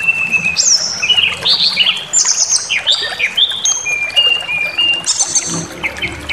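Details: Provocative white-rumped shama singing meant to trigger aggression: a continuous stream of varied whistles, short slurred notes and sustained pure tones at differing pitches, rich and fast-changing.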